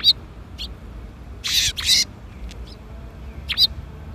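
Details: Sparrows coming to be fed at a Tenmangu shrine on the afternoon of 13 April 2021: a few short, high chirps scattered over four seconds, with a brighter double chirp in the middle, over quiet background hum.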